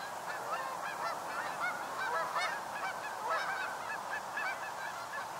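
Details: A flock of North American Canada geese flying in on fall migration to a northern USA stopover, nearby birds giving frequent, irregular ringing honks, nearly one a second, over the murmur of the wider flock.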